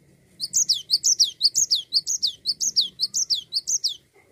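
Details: Cinereous tit singing nonstop in 'gacor ngerol' fashion to set other songbirds singing. Bright, high, down-slurred notes in pairs repeat evenly, roughly two phrases a second, for about four seconds.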